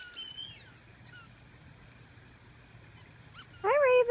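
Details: Raven giving a loud, harsh, drawn-out call with strong harmonics in the final half second, preceded by a few thin high squeaky notes and a long quiet pause.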